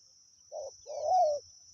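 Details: Wild spotted dove singing during decoy luring: a short low coo followed by a longer, slightly rising and falling coo, with a steady high insect whine throughout.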